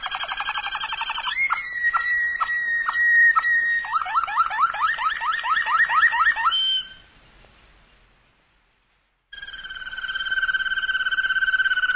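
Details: A car alarm cycles through pulsing, chirping and steady electronic tones, with no animal heard. After a brief silence the alarm resumes with a steady two-tone wail.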